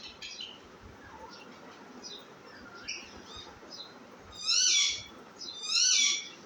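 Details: Baby parrot: faint squeaks and chirps at first, then two loud, drawn-out harsh screeches about a second apart near the end.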